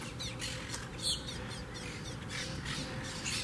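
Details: A noisy wild colony of Monk parakeets at a huge palm-tree twig nest beside the beach in Southwest Florida; continual harsh chattering squawks, one sharper call standing out, over steady background hum.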